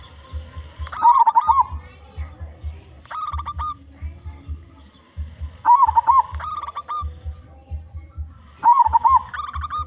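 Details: Local zebra dove with a big voice, used as a lure for other zebra doves: three bursts of staccato, bubbling coos near one pitch, each about a second long and spaced about three seconds apart, over a low steady hum.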